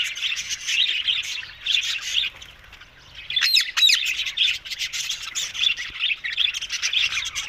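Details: Several green ringneck parrots giving continuous shrill, scratchy chatter. A short lull comes midway, broken by a few sharp, sweeping squawks before the busy chattering resumes.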